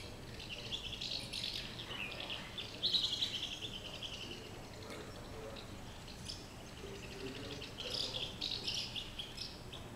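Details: First house martins (Delichon urbicum) of the season at their nests in Valls, 26 February 2017, give dry, high-pitched chirping twitters in quick irregular bursts over a low background hum.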